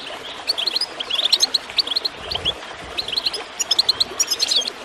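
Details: Bursts of quick, high goldfinch twitter alternate with short quieter spells, set against gently gurgling water, in a tape meant to prompt birds to sing.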